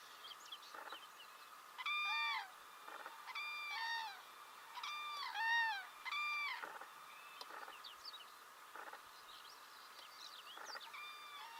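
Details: Common cranes in spring 2017 in Belarus, giving loud, rolling bugled calls in bursts about every one and a half seconds, each a ringing note with strong overtones that dips in pitch, with softer pulsed notes between and small birds twittering behind.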